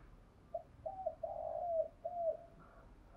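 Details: Quieter spotted dove morning call used to excite decoy birds: a few soft lead notes, a long gliding coo and a falling closing coo, set against a constant low background hum.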